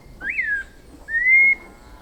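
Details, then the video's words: Two pure whistled notes from a white-necked thrush of Brazilian forests: the first arches up then slides down, the second a long, steady, slightly rising whistle, set against a quiet background. "Sabiá Coleira – Canto das Florestas Tropicais"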